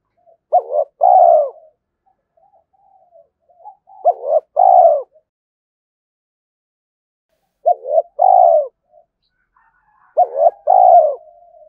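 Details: Spotted dove in a morning contest with a rival wild bird, giving four cooing phrases about every three seconds, each a pair of short hollow hoots leading into a drawn-out low coo.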